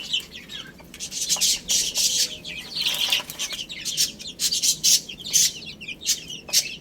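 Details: Several chicks feeding on spinach chirp in high, quick, overlapping notes while frequent sharp pecking clicks and rustles fill the background throughout.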